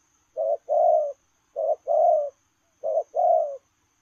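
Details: Running spotted dove repeats its 'lèo rồng' style coo three times: a short husky note, then a longer, fuller low coo, at an even pace of about one phrase every 1.2 seconds.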